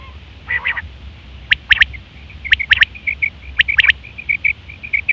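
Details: Female quail calling for quail trapping: a coarse nasal burst first, then sharp click doublets alternating with short, bright chirps in a steady run, with a constant low rumble behind.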